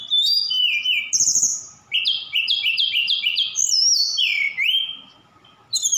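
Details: Energetic song of a Javan bush lark from Sukabumi, rich in imitations of cililin, sikatan londo and other birds: a rapid run of repeated stepped chirps, then looping high whistles and a falling slurred note.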